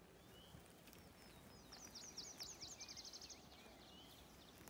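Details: Kirtland's warbler (Setophaga kirtlandii) in Michigan, 2020, giving one short, emphatic song: a quick burst of loud, ringing chips speeding into a bright closing flourish, over steady hiss and faint distant bird notes.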